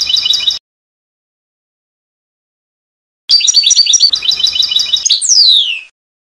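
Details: Trnan song of a European goldfinch from a 2020 CD: a brief twittering fragment, a silence, then a lively 2.5-second phrase of rapid tinkling chirps and trills ending in a long downward-sliding whistle.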